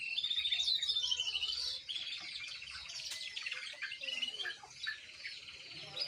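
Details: Young canary learning to sing, a twittering, warbling practice song with a clear descending whistle near the start, then jumbled high chirps and trills mixed with faint background noise.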